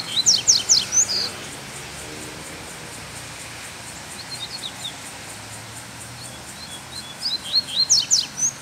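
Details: Loose wild Double-collared Seedeater, black male form, outdoors on a Sunday: quick bursts of high, sharp downward-sweeping notes open and close the recording, with a long quieter stretch of faint scattered notes between them and constant hiss.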